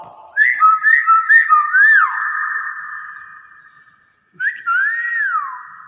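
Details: Common hill myna mimicking speech, the word "bakpao": a rapid series of short whistled syllables runs into a long, level, fading tone, then after a brief silence a new swooping, rounded whistled phrase follows. No other sounds intrude.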